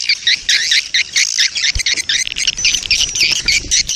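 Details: Breeding-mood swiftlet colony calls meant to attract swiftlets: choppy, squawky chirps and buzzy twitters in uneven clusters, with brief gaps between groups.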